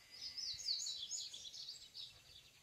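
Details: Male yellow-bellied seedeater singing in nature to its female, ready to nest: an unbroken stream of very high, fast warbling chirps rising and falling, with light background hiss.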